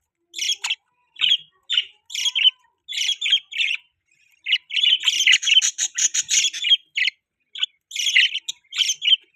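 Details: Budgies chirping in a breeding setup: separate short buzzy chirps at first, building into a rapid chattering run, then scattered chirps again.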